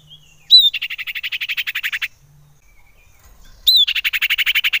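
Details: Common iora calling as a lure to excite other ioras. A sharp rising note starts a fast rhythmic trill of evenly spaced chirps lasting about a second and a half. After a short silence the same phrase is repeated.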